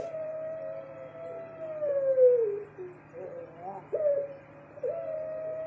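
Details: Puter pelung Barbary dove kept in a cage, cooing a long level note that dips at the close, followed by brief wavering notes and another long coo, with a continuous low hum.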